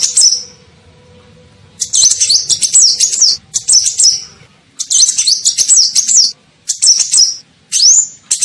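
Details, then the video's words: Lure call of a sunbird (kolibri ninja), used to attract other birds: after a quiet start, bursts of shrill, fast, wavering chips alternate with single upslurred squeaks. "SUARA PIKAT KOLIBRI NINJA"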